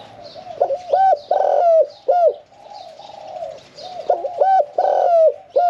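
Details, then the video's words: Spotted dove, caged for a year and four months, singing the 'khan yon 1 kuk' style with a middle-pitched voice; two full coo phrases of bent notes and a drawn-out loud coo, softer background cooing between them. "ฟังเสียงขันนกเขาใหญ่ { ขันโยน 1 กุก} ,{นกเสียงกลาง}"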